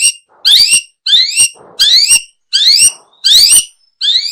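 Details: Long-tailed shrike calling, used for luring birds: six clear, high, rising harmonic phrases, each about half a second long, repeated roughly every 0.7 seconds with short silences between.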